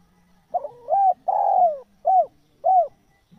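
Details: Spotted dove cooing, a sound used to lure wild doves into answering: four soft, mellow hooting notes, the first stuttered and the second longest, each gently falling, spaced about half a second apart.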